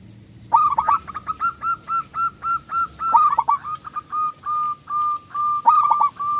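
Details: Local zebra dove, a loud-voiced singer kept as a lure to make other doves sing and to rouse quiet or stressed birds: steady series of short hollow cooing notes near one pitch, repeated in even bursts with brief gaps.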